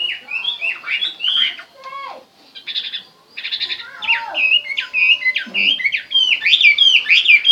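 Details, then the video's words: Chinese hwamei song mixing buzzy rattling bursts and descending slurred notes, a short pause, then a return to clear looping whistled phrases that grow louder toward the end. "hmoob chim hoa mi hot"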